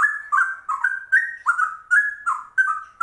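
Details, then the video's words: Rare trucuk voicing a cucak rowo-type ropel: short, bubbling, liquid whistled phrases alternating higher and lower notes, about three bursts a second, strong and clear. "Trucuk langka ropelannya cucak rowo"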